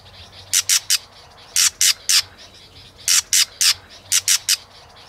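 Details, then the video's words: White-rumped shama with a female used to stir the male into competitive singing, with tail-flicking. Harsh, broadband rasping notes come in tight bursts of two to four, roughly once per second, over a quiet background. "Chòe lửa kích lửa DÌU BỔI HÓT- TẠCH KÈM MÁI KÍCH TRỐNG đập đuôi kích chòe lửa lên lửa hót đấu"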